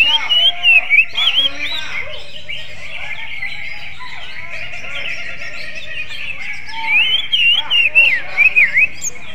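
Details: Greater green leafbird with a song resembling an oriental magpie-robin's. Bursts of bright, rapidly undulating whistles open and close the passage, with a quieter stretch between them, all over continuous high chirping.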